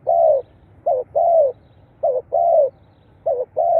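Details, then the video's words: Spotted dove cooing, used to stir captive birds into activity. The pattern is a short hooked coo and then a drawn-out downslurred coo, delivered in tight succession with almost no pause between phrases. "เสียงนกเขาใหญ่ เปิดกระตุ้นนกชำ ขึ้นไว"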